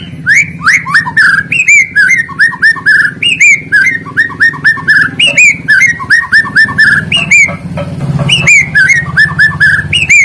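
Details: Lure song of a white-rumped shama, meant to set under-performing shamas singing: bright whistled phrases of short rising and falling notes repeated in runs, each phrase opening with a higher note, over a low hum.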